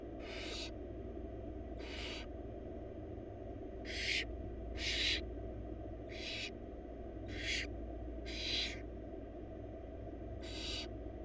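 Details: Begging barn owl young, four wild chicks in a monitored nest box being fed rabbit by their mother; eight drawn-out hissing screeches, irregularly spaced, loudest around the middle, above a continuous low drone.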